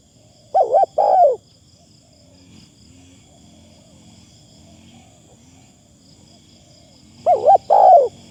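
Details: Decoy spotted dove cooing lightly: a low two-note phrase at the start, several seconds of near silence with faint rumble, then a second paired coo phrase at the end.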